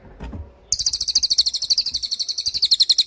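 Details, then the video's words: Cililin tembakan song used as masteran material for songbirds: a brief faint murmur, then a strong, very high trill of quick even pulses lasting over two seconds. "MASTERAN TEMBAKAN CILILIN GACOR DOR,SUPER JERNIH & TAJAM"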